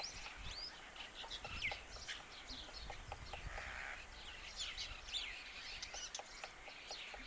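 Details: Black-rumped flameback pecking at a neem tree for insects near Khood, Sikar, Rajasthan: dry, irregular taps, sometimes several a second, under a busy chorus of other birds' chirps and thin swooping whistles.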